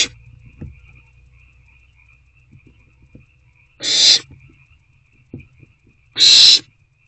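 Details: Night recording from an owl nest box, 21 April 2024, with parents still bringing food: two loud, harsh, breathy hisses about two seconds apart, each lasting around half a second, with soft knocks between.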